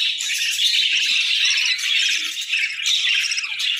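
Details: Winter-breeding budgies fill the air with steady, busy warbles and chirrups from many birds at once, an unbroken high twittering wash.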